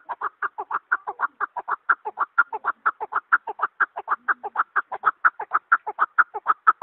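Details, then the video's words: Chukar partridge giving a rapid, rhythmic run of hoarse chuk-chuk notes, evenly spaced and sustained throughout, against a clean, quiet background. "Keklik sesi"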